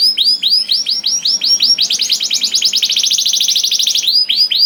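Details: Canary singing to spur other canaries into song: rolling arched whistled notes repeated about three per second, accelerating into a fast rattling trill, then returning to slower looping syllables.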